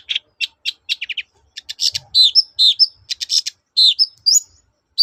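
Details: Lively long-tailed shrike song of the 'toet-toet' type, used to provoke silent birds to sing; quick staccato chips speeding up, then drawn-out whistled and buzzy notes in uneven rhythm.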